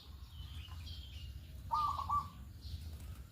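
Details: Morning lure call of a local zebra dove, meant to set other doves calling along: one brief, quick trilled coo at mid pitch, preceded by faint higher chirps, over a steady low background hum.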